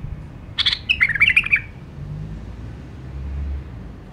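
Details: Single rich, chirpy phrase of a White-eared bulbul lasting about a second, fast wavering whistles, followed by quiet with a low background hum.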